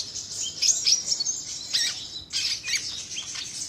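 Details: Sunbird singing, its song used as a lure to draw in other sunbirds or as a tutor recording for captive birds; a rapid, very high thin twittering of sharp chips and trills in two bursts, with no other clear sounds.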